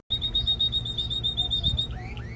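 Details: Canary song for stirring a female toward mating and tutoring chicks: a rapid string of identical high clipped notes repeated for nearly two seconds, ending in a few rising slurred whistles.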